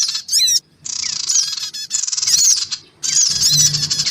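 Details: Bird-attracting recording of black-winged cuckooshrikes: clipped bursts of coarse buzzy squawking and thin whistled slurs, separated by two short pauses, with a low hum under the last burst.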